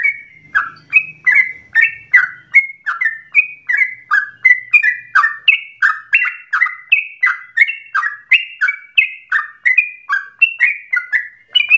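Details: Trucukan, the yellow-vented bulbul, in lively song meant to prompt other bulbuls into long-breathed, nonstop singing; rapid series of rich, slurred whistled notes, alternately rising and falling, roughly 160 per minute, with a faint low hum at the start.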